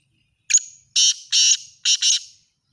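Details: Kala teetar, the black francolin, calling in a chakri style. A brief sharp introductory note is followed by a grating, harsh four-note phrase, the final notes run together, lasting about two seconds. Nothing else audible.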